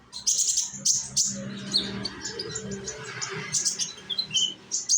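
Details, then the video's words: Sunbird (konin) of Indonesia, a young bird used to draw others into singing: bursts of high, thin chips and trills scattered over a busy, hissy background with a low hum. "konin, Humming bird of Indonesia."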